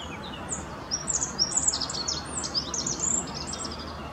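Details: Rock bunting song from the Apolloweg at Valwig, Moselle valley, Germany: a quick, scratchy phrase of high, thin, descending notes tumbling together for about two seconds, clear above faint ambient noise.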